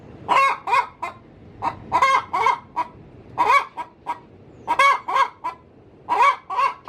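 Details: Pre-laying cackle of a hen in a coop: clustered groups of two or three harsh, nasal notes with quieter single clucks between, groups recurring about every one to one and a half seconds.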